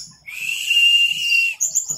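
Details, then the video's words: Orange-headed thrush, teler style, masteran recording: one long even whistled note held for over a second, followed by a quick high twittering phrase. "MASTERAN ANIS MERAH TELER"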